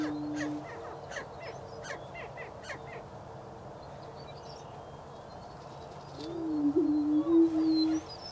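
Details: Greater prairie-chickens (Tympanuchus cupido) in Wabaunsee County, Kansas, in spring 2010 boom with low, hollow, moaning hoots, one short and one drawn out over two seconds, amid a chorus of sharp clucks and cackles.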